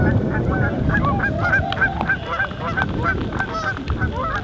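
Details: A family of tundra swans at Aylmer Wildlife Management Area calls busily to each other, nodding heads just before take-off, with soft high hoots and honks overlapping.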